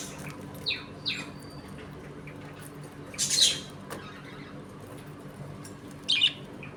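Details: Budgerigars in a home colony during play and feeding: two short falling chirps, then harsh raspy squawks separated by quiet pauses.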